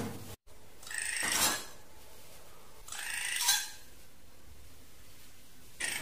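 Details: Drongo giving harsh, raspy calls: three broad, noisy bursts under a second long, each rising slightly in loudness, spaced about two seconds apart, with a low steady hum in the background.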